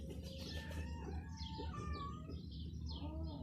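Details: Baby chickens with a hen giving thin, high peeps that slide downward, mixed with a few lower, longer tonal notes, all over a constant low droning hum.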